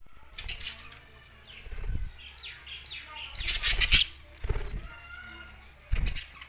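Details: Budgerigars in Larkana, Sindh, giving bursts of high, scratchy chirps and warbles, with soft wing-flapping thuds and low bumps between calls.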